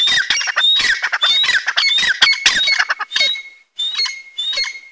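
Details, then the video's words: A pair of grey francolins, just freed from a cage, give harsh, grating squawks in quick overlapping bursts, nearly two per second, laced with thin high whistled notes; a brief pause near the end. "Francolin Voice | Teetar ki Awaaz | Teetar Voice | Teetar Sound | Partridge Voice | Dakhni Teetar"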